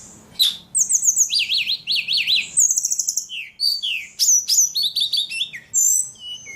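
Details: Ledekan bird singing lively and nonstop: high bright chirps, runs of zigzag trilled notes repeated in quick series, sharp rising whistles and varied chattering phrases, with faint low background hum.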